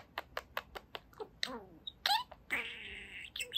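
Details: Pet budgerigar, two years old, chattering indoors: a series of quick ticking clicks about every fifth of a second, then a sliding buzzy phrase and a long harsh drawn-out squeaky note.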